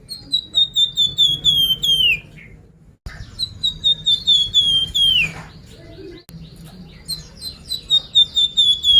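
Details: Sunda pied fantail singing, used as a lure to prompt birds to sing: three phrases of rapid, evenly spaced whistled notes, each gliding lower toward a dropping final slur.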